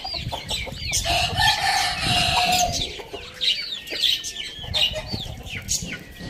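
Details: Rooster crowing in the morning: one drawn-out, level crow lasting over a second, set against constant high, rapid chirping and twittering of small birds throughout.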